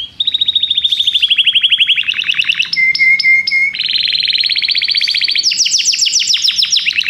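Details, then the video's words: Belgian canary song made of linked rapid trills at changing pitches, including a pulsed low whistle section, without breaks through seven seconds. "canário belga cantando"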